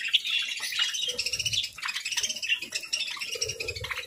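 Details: Feathered companions at a morning feast chattering without pause, with rapid, warbling high chirps running throughout and soft low murmurs underneath.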